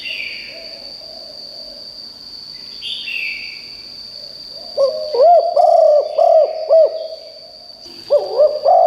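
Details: Spotted dove used as a decoy to call in wild birds. After a quiet start with faint chirps, loud rounded coos come in a rapid run of four, then another phrase begins. A constant thin high whine sounds underneath.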